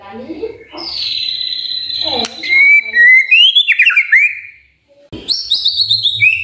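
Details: Magpie-robin morning song used as a lure to set other magpie-robins singing: high whistled notes and rising slurred phrases, then a pause and a burst of bright, descending whistles. Low murmuring is heard at the start.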